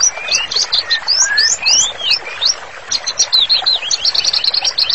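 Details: White-rumped shama master song in strong, continuous delivery: upward-swept whistles give way to a rapid, dense chatter of high chirps that grows faster toward the close.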